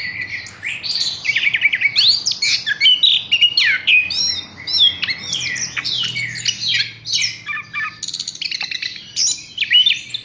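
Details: Caged Horsfield's bush lark in a rapid, continuous medley of sharp chirps, downslurred whistles and buzzy trills, with phrases tumbling quickly one after another.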